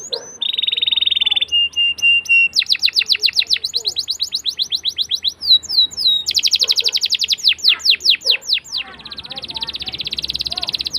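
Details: Canary song meant to coax young canaries into singing: a steady whistled tone, then varied phrases of fast trills, swooping notes and buzzy rolls changing every second or two.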